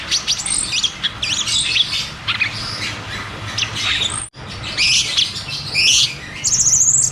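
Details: Cucak cungkok song in the rolling, shooting ngeroll tembak style, used as therapy and a lure for caged birds that have stopped singing: high, rapid chirps and trills, broken by a brief silence, ending in a sustained shrill note.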